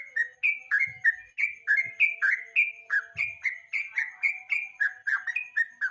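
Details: Yellow-vented bulbul in the evening, a lure song used as a master recording to train contest songbirds: quick, bubbly, down-slurred whistled notes, about three or four per second, running continuously without pause.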